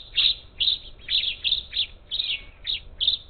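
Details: Parakeets, up to ten, gathered at a Gulf Coast bird feeder camera near Houston, Texas, July 2021, giving a string of grating, buzzy squawks, roughly two or three per second, some drawn out and others clipped short.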